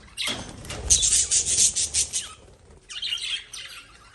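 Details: Lovebirds letting out a loud run of rapid, harsh chirps, pulsing several times a second, then a brief pause and a second, softer burst of squeaky chatter.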